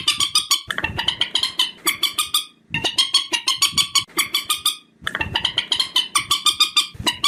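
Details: Purple swamphen calls used as a lure for night trapping: loud, harsh, rapidly repeated clucking notes in fast bursts with brief pauses, strongly layered and echoing, broken by gaps near two and a half and five seconds.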